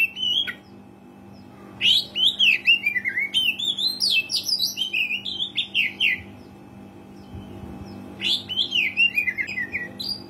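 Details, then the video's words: Oriental magpie-robin in full song, a lure recording meant to start quiet caged birds singing: a fast run of rich whistles and chattering notes, rising and falling, in two long bursts separated by a pause, over a faint low hum. "KACER GACOR SUARA ASLI PANCINGAN KACER JARANG BUNYI"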